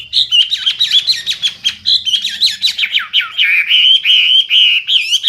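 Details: Loud, clear Hwamei delivering a continuous stream of high, fluty whistles, broken by quick clicking notes and looping slurs, with no pause through the whole phrase.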